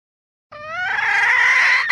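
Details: Female red junglefowl voice used as a lure for wild junglefowl, a loud harsh drawn-out squawk that climbs in pitch and swells for well over a second.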